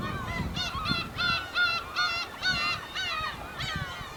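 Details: Over a hundred wild black-tailed gulls calling at a Hokkaido port in Japan, August 2010: overlapping nasal, mewing cries with bent, wavering tones, several calls every second in uneven bursts, with low harbour rumble beneath.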